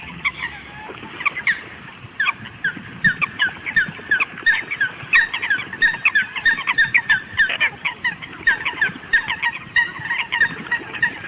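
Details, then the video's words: A crowd of Eurasian coots calling the flock together, dense rapid nasal clucks and honks tumbling over one another for eleven seconds against a hissing background. "Tiếng sâm cầm gọi đàn"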